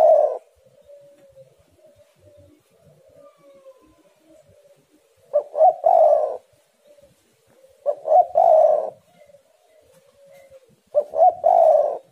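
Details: Spotted dove, known locally as tekukur, giving repeated song phrases: each a pair of short hoots and a long throaty coo, spaced roughly every two to three seconds, with soft quieter coos between.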